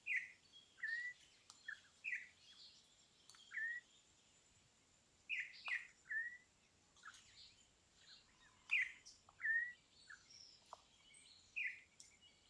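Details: Campo troupial singing short, sharp whistled notes and clipped downslurred phrases in scattered bursts. A faint, steady high-pitched hiss runs underneath.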